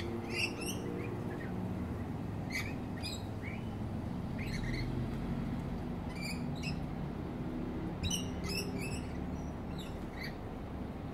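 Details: Rainbow lorikeets in the wild in Australia, feeding on fruit beside a house. They give scattered sharp, harsh screeching notes, single or in quick pairs, every second or two over a low background rumble.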